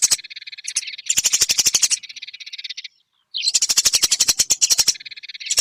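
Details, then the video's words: Eurasian tree sparrow recording made to train songbirds: bursts of quick, scratchy chirping alternate with softer buzzy stretches, with a brief silence near the middle before loud chatter returns. "Masteran burung gereja durasi panjang"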